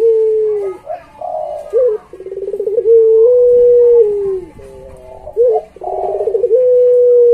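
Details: Puter pelung, a Barbary dove, recorded as a training tutor for pet doves: long level coos that dip at their ends, alternating with rapid rolling, pulsed coo phrases, one after another almost without pause.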